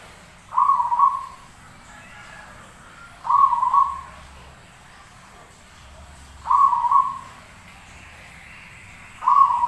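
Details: Zebra dove in full song, used as a model for training other birds: rolling, trilled coos of under a second each, repeated about every three seconds over a quiet background.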